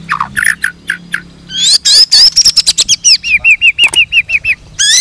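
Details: Murai blorok, a colour variety of white-rumped shama, singing while bowing: steeply falling whistles, then rising buzzy sweeps, and a quick even series of about a dozen downslurred whistled notes, loud and clear.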